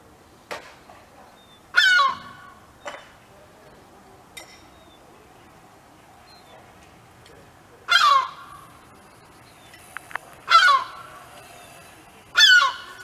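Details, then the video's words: European herring gull screaming loud, harsh warning calls, each a brief downward-slurred burst, irregularly spaced with softer calls and clicks, while protecting its chick on the ground and alerting nearby gulls. "Seagull Screaming Warning Calls"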